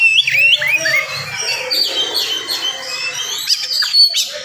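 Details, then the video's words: Morning song of an oriental magpie-robin, fast and tightly packed, meant to provoke other males: rising whistled slurs and high chirps pour out continuously over a faint low hum. "SUARA KACER GACOR DIPAGI HARI SPEED RAPAT cocok untuk naikin emosi kacer yang dengar"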